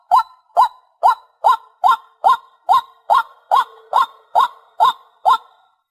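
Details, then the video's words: Steady, evenly timed series of thirteen loud, nasal, rising honks from a white-breasted waterhen, a recording meant to lure birds. Roughly two notes per second. "Tiếng Chim Cuốc"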